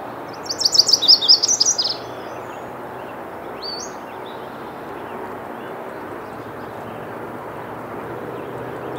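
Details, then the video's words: A Lazuli Bunting sings one quick, high, jumbled phrase of sweet notes lasting under two seconds, followed by a faint distant chirp over steady background hiss. "Lazuli Bunting song"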